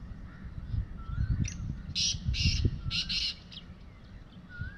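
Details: Wild black francolin calling from atop mud on an evening, in a short run of harsh, grating broadband notes grouped midway, over steady low rumbling wind-like noise.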